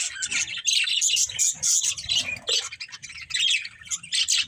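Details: Budgies chirping and playing: a rapid, rasping high-pitched babble with squeaky notes running together almost without pause, over faint low rumbles.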